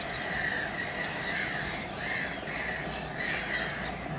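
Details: Common terns at RSPB Saltholme on 17 July 2012, giving rasping, drawn-out downslurred calls roughly every second, several birds overlapping over a constant low hum.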